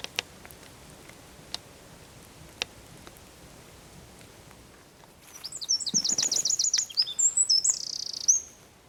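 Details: Eurasian wren singing at Zamudio, San Miguel de Daño, on 4 December 2019; after several seconds of quiet with faint ticks, a shrill, rapid trill bursts out and ends in a high drawn-out buzzy note.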